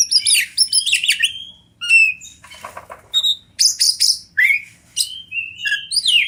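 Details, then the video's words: Wild champion Oriental magpie-robin, a tutor recording for training songbirds: fast run of sharp high chirps and whistles, a short rasping burst, then varied slurred whistled notes and trills. "Masteran Kacer Juara Alam Liar"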